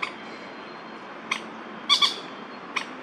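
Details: In an urban Taipei park, two male Crested Goshawks call back and forth in a territorial quarrel, September 2022. A few scattered, piercing notes, with a loud doubled shriek in the middle, stand out against faint background hiss.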